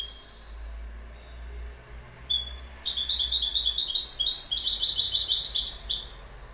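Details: Goldfinch with a few high preliminary chirps, then a sustained, rapid, twittering warble of tinkling, jangling notes lasting about three seconds before it stops abruptly.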